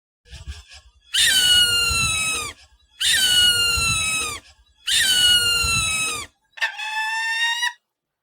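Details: Falcon screeching: three long, harsh, ringing screams of over a second each, slightly falling in pitch, separated by short pauses, then a shorter, higher scream to close.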